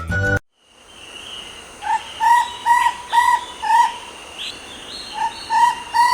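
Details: Chestnut-backed owlet, a Sri Lankan endemic of wetter forests, gives a run of short, slightly rising mid-pitched notes, about two per second, after a brief burst of music.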